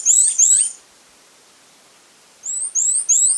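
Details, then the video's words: Fawn-breasted tanager (Pipraeidea melanonota), a tanager of the family Thraupidae, giving very high, thin, slightly rising notes: two quick ones, a pause of over a second, then three more, against an otherwise quiet background. "Canto da Saíra Viúva | Fawn-breasted Tanager"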